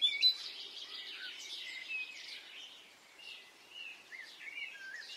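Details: Birds singing on a spring morning in Brittany, a faint mixed dawn chorus of short high chirps and whistled slurs from several birds, with a soft hiss of outdoor background.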